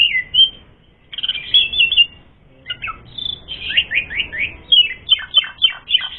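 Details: Song of an Asian pied starling, played as a fighting lure: a brief whistled phrase, a pause, then a fast series of rising and falling slurred notes repeated in quick succession.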